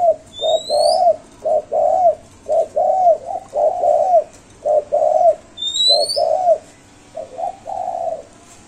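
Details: Spotted dove giving its five-note cooing, rendered locally as "cục... cu cu...cu ...cu"; low hollow coos in repeated phrases, about one note per second, with faint rising whistled chirps of another bird above and steady background hiss.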